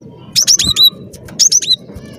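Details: Two quick phrases from a cinereous tit singing actively, recorded to lure birds for trapping: each phrase a fast run of four high, piercing notes that drop in pitch.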